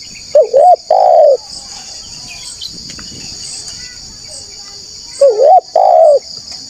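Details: Spotted dove in full voice, played to attract wild doves: two phrases, each a wavering rising-falling coo followed by a longer hollow note, separated by a quiet gap filled with a thin insect-like high drone.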